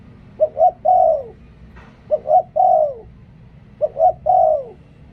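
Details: Three evenly spaced song phrases from a decoy spotted dove, each made of two short coos and a long, mellow coo that droops at its end.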